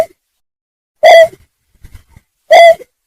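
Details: Greater painted-snipe lure call: two brief, harsh, level hooting notes about 1.5 seconds apart, with faint low knocks in the gap between them.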